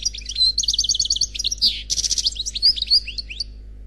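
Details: Khalwi-style song from a single, unpaired European goldfinch: fast, tightly repeated tinkling notes lead into a harsh buzzy rattle, then scattered bright whistles and twitters. A faint low hum runs underneath.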